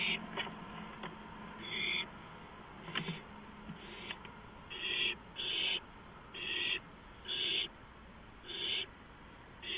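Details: Owl on a porch at 2:05 AM on April 5, 2015, giving a series of about eight harsh, breathy hissing bursts, each roughly half a second long and repeated about once a second, with a few sharp knocks early on.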